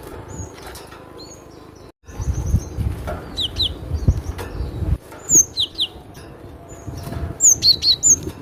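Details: Cinereous tit song: scattered high, sharp whistled notes, then a closing burst of quick downslurred notes, over a steady low rumbling background.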